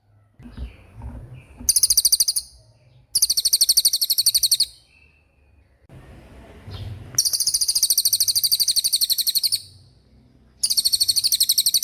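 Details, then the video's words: Racket-tailed treepie singing in repeated rolls. Four bursts of rapid, bright, metallic chattering notes, each lasting one to two seconds, are separated by short pauses with faint low background rumble. "Suara Cililin Gacor Roll"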